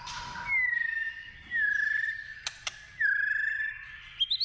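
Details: White-rumped shama in the wild giving long, pure whistled notes, each held about a second with slight downward bends, separated by two sharp clicks and ending on a rising whistle.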